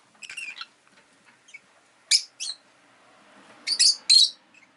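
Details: Shrill, squeaky chirps from a pet rosy-faced lovebird, newly added with a companion: a short stuttering cluster, then paired sharp notes, then another loud pair, over a faint hum of town noise.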